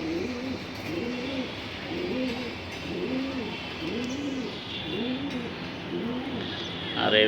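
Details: Racing pigeons at bath time in a loft in Rampura, Dhaka, Bangladesh: soft, low, rounded cooing notes repeated roughly every three-quarters of a second, with a steady background hiss and rustle.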